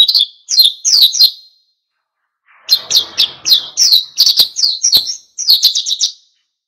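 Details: Oriental white-eye in wild-style song meant to provoke other birds: clusters of quick, high, downslurred notes in short bursts separated by pauses, with a soft rustling noise beneath one burst.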